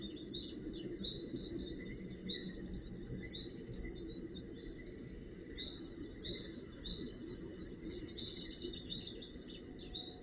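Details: Young Northern goshawks being cared for at their nest, early June 2018: a sustained series of high, harsh, slightly rising calls, some in quick clusters, over constant background hiss.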